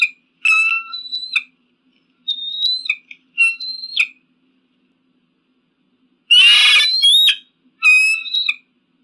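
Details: Eagle cries used as a pigeon and crow deterrent: shrill ringing whistled screams in separate bursts, with one harsher rasping scream near the end, and silent gaps between calls.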